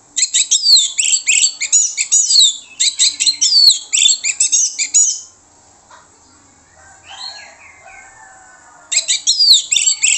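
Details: Orange-headed thrush song played as a lure so other birds answer. It is a loud, rich, varied jumble of fast, sweeping high notes lasting about five seconds, then soft whistles and low chatter, then the loud song again.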